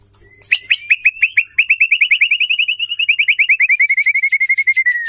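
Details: Female white-rumped shama song aimed at making male birds sing: a fast, steady rattling trill of clipped notes, about eight per second, holding one pitch for five seconds and dropping slightly at the end.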